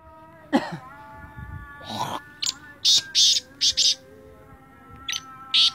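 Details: Sindhi teetar, or black francolin, delivers a series of harsh grating notes partly mixed with low murmuring sounds and a steady hum, ending in a couple of isolated rasps.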